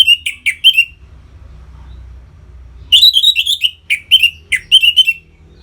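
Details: Orange-headed thrush singing to stimulate captive birds: short clipped whistled notes, a pause, then a lively string of sharp, steeply descending whistles repeated in quick succession.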